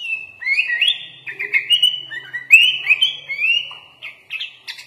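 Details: Sooty-headed bulbul in full, active song packed with borrowed phrases, taped as master song for training. A continuous chattering string of rising, sliding whistles plays with a soft low hum underneath.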